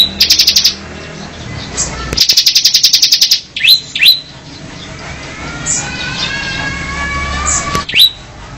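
A mountain cemblek bird gives two quick bursts of high, dry chirps, about a dozen notes per second, then sharp upswept squeaks, with faint thin whistles in the background.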